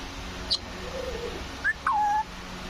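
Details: A green parrot whistles: a high short peep, a rising chirp and a drawn-out falling-then-level whistle, against constant background hum.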